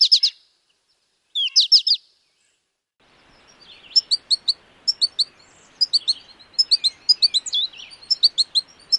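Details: Wisconsin American goldfinch singing high, sweet twittering phrases, then a long run of quick repeated chirps in small clusters over a soft steady background hiss.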